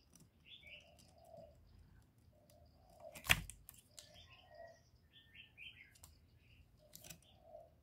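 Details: Spotted dove calling in the 'giọng thổ' style, meant to stir males: muffled low coos in short groups, with sharp high chirping from other birds and a loud click or knock near the middle.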